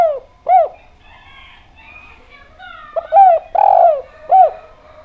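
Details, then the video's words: Javan spotted dove singing brightly, with a loose series of hollow arched coos. One longer, fuller coo sits among shorter ones, and faint chirps of other birds sound in the background. "Derkuku Djawa Gacor Suara Bening"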